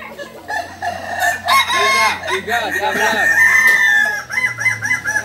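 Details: A Balenggek rooster crows at a crowing contest in Ampang Kualo, Solok city, in the landiak class, on a Sunday. A long, rolling crow is followed by a string of rapid repeated notes, with other birds crowing nearby.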